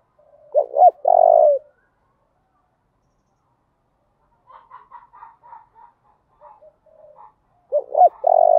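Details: Spotted dove singing thổ đồng style to stimulate males to respond. A phrase of two hooked notes and a long rolling coo, then a stretch of soft low clucking and chatter, then the phrase starts again.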